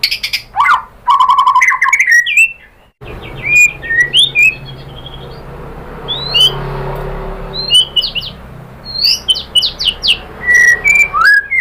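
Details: White-rumped shama song used to provoke other shamas to sing: a burst of fast chattering notes, then scattered sharp whistles and short rising phrases over a steady low background hum.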